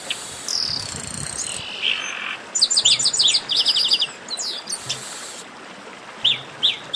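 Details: Chestnut-capped blackbirds calling in a 'baderna': a buzzy opening, then loud bursts of rapid high chips repeated in quick series, ending with a few isolated sharp whistled notes.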